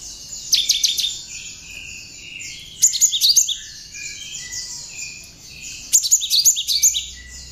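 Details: Tame, hand-raised cinereous tit (gelatik batu), a keen singer whose song holds learned prinia (ciblek) phrases, used as a master for training birds: loud bursts of rapid high sharp notes near 0.5, 3 and 6 seconds over continuous high chatter.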